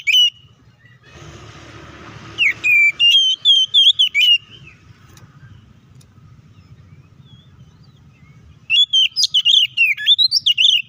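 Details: Kacer fighting song intended to make other white-rumped shamas emotional and aggressive; a hissy burst, then quick phrases of rich whistled notes, a long quiet stretch, and a final rapid flurry of varied whistles.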